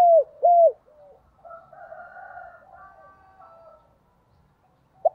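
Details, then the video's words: Spotted dove used as a lure bird, giving the 'gáy thúc' and 'gáy gọi' coo styles meant to stir up wild doves: two loud, low hooting coos open, followed by softer, drawn-out cooing and one short final coo. "Tiếng Chim Cu Gáy Thúc + Gáy Gọi Dùng Kích Bổi Mỗi Ngày"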